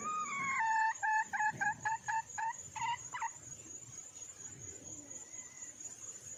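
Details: Wild red junglefowl hen calling for a male: a run of about a dozen clear, harmonic clucking notes, quick and evenly spaced, fading after three seconds, over a steady high-pitched insect whine.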